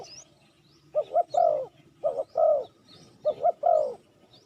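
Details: Spotted dove lure call meant to attract wild doves: three phrases of two short coos and a drawn-out falling croo, each roughly a second apart. Soft high chirps from other birds sound behind them.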